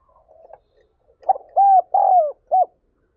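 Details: Luring call of a spotted dove: soft, low mutterings lead into a burst of three loud, rounded coo notes, the middle one longest and sliding downward, then silence.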